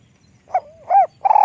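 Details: Spotted dove, described as having a small, light voice: a brief fragment with a short coo, a soft low slur and an arched coo, then the start of a bubbling note, on a quiet background.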